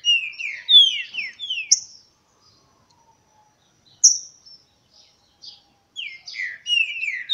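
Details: Green-winged saltator in a singing contest, August 2016: bursts of bright, downslurred whistles with sharp high accents, broken by roughly two seconds of silence before the next run of phrases begins.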